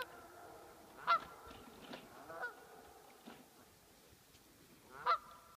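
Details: Geese calling at a cabin in Millville: three sharp, nasal honks with a few fainter grunting notes between them, over a quiet background.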